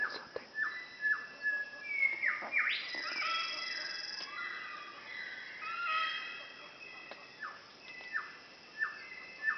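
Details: Umbrella cockatoo (Cacatua alba) starting the day in Halmahera tropical forest, North Maluku, giving harsh, rasping screeches midway, over a singing whistler's clear, falling whistles repeated about every second.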